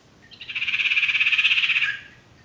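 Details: Male sirtu (Ashy Tailorbird) tutoring song for raw or stressed birds: a single even, fast, pulsing trill lasting about one and a half seconds at a steady high pitch, fading at the end.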